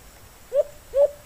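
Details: Wild white-eared brown dove, a free bird being strongly stirred up by a kept decoy bird, giving two short, low, hollow coo notes about half a second apart over quiet background hiss.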